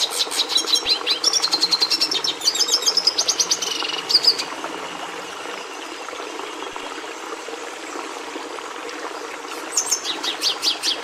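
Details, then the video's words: Red siskin (Carduelis cucullata) song: about four seconds of quick high chips and buzzy trilled phrases, then a long quiet stretch with soft background hiss, before the twittering resumes briefly at the end. "Canto do Tarim da Venezuela"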